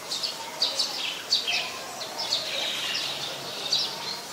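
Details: Olive-backed or Yellow-bellied Sunbird calling at a home in the late afternoon of 25 March 2021. Sharp, high, clipped chirps come in quick uneven bursts about every half second, mixed with thin downslurred notes over faint outdoor hiss.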